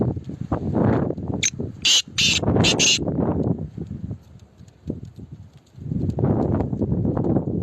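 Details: Kala teetar, the black francolin, called a speeder, calls with three or four harsh, rasping bursts in quick succession. Heavy low rumbling and thumping noise runs throughout, before and after the call.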